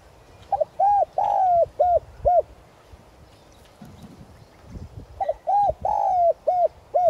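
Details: A caged decoy spotted dove sings its luring call in the 'giọng son' style, meant to excite wild doves; two phrases of about five mellow cooing notes, one note drawn out and falling, with gaps between phrases.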